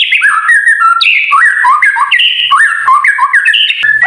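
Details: White-rumped shama singing in the kretekan style, used to provoke other birds into singing: a loud, continuous run of clear whistled notes that leap up and down in quick, varied phrases, with a steady high thin tone behind.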